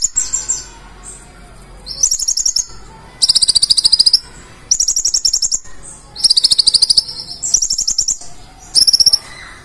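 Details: Purple-throated sunbird, known as kolibri ninja, in 'gacor full isian' song: five or six bursts of extremely high, rapid ticking trills, each about a second long, separated by quiet gaps.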